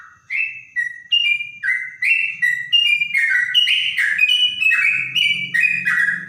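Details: Trotok bird singing in a clear voice likened to a straw-headed bulbul: loud, rich whistled notes in short stepped phrases, pitch jumping up and down, about two notes a second, with a faint low hum underneath.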